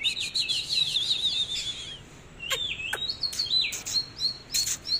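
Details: Oriental magpie-robin singing while displaying: a run of rapid, looping whistled warbles for two seconds, then short sweeping phrases broken by sharp clicking snaps.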